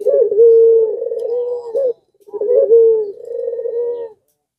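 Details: Pelung-style puter dove in breeding condition, its song drawing out calls from doves around it: two long phrases, each a quick wavering start, a smooth low held coo, then a trembling rolling tail.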